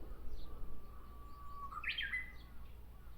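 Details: In a tree at Miyakonojo, Miyazaki Prefecture, Japan, a Japanese bush warbler gives a long, even, fairly low whistle that leaps into a fast, sharp, slurred ending phrase, against steady low background noise.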